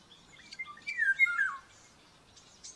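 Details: Baby common buzzard, aggressive at breakfast feeding on a nest in Tiszalök, Hungary, May 5, 2024, captured by a nest camera, utters one strained, wavering whistle that drops in pitch over about a second.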